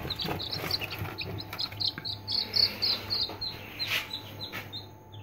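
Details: Several three-day-old Aseel chicks cheeping together, high thin downslurred peeps blending into a busy chorus, with scattered clicks and scuffling and a low hum behind.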